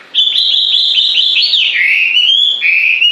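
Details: High, sustained whistled song with quick trilled flutters, dipping slightly in pitch partway through, then holding steady at the end; a single bird singing without pause.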